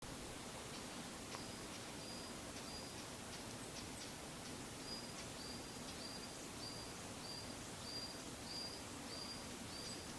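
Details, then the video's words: Varied tit calling unseen from high up on a wooded satoyama hillside, Japan, 28 February 2015, compact camera; a thin high whistled note repeated about every half second, distant, over steady broadband background hiss. "ヤマガラ "Parus varius" の鳴き声"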